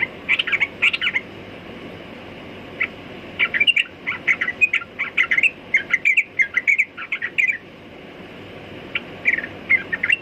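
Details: Bubbly chirping song of a sooty-headed bulbul, rapid clustered notes coming in bursts that build to a busy run mid-clip, then a pause before a final short phrase; soft background hiss.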